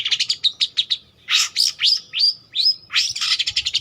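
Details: Long-tailed shrike in full song, intended as a lure or training master: quick chattering harsh notes, then loud raspy bursts with thin upslurred whistles, ending in a fast rattling chatter.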